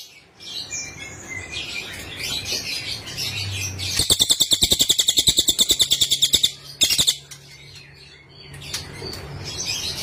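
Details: Cililin (Sunda whistling thrush) training recording: faint high twittering, then a strong run of rapid buzzy pulses lasting over two seconds, a short extra burst, and quiet twittering again afterwards.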